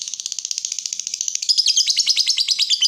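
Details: Lovebird, described as chatty and used as a tutor and lure to stir up other lovebirds, gives a fast, even run of clicking chirps that turns louder and more buzzy halfway through, in a steady stream.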